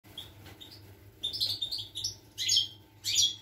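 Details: European goldfinch song recorded on 25 August 2021: short bursts of high, tinkling twittered notes with quick chirps and trills in clusters, separated by brief pauses, over a steady low electrical hum.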